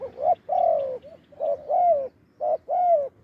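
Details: Spotted dove, a wild bird with a big voice lured by a decoy, calling in quick pairs of coos, a brief note followed by a longer mellow falling one, three pairs in close succession.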